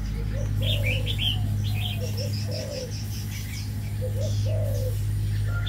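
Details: Caged male red-whiskered bulbuls in an aviary give quick clusters of sharp whistled notes. Low arched coos repeat throughout, and a constant low droning hum runs behind.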